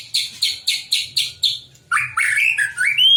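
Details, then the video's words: White-rumped shama song aimed at getting other shamas to answer: five harsh, buzzy notes repeated about four times a second, then a flowing series of whistled, rising phrases ending on a high pure note. "kicauan santai tapi bikin emosi, murai manapun pasti ikut bunyi"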